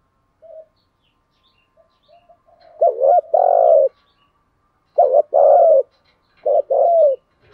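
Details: Decoy spotted dove calling wild doves in to fight: faint opening notes give way to three loud groups, each a clipped coo followed by a longer resonant one, repeated about every two seconds.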